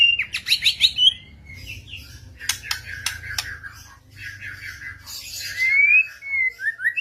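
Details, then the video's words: Shama answering another bird while a lure recording plays: fast high twittering and whistles mixed with sharp clicking bursts, then a clear rising whistled note and a downslurred ending. "Burung Murai lain ikutan ngotot"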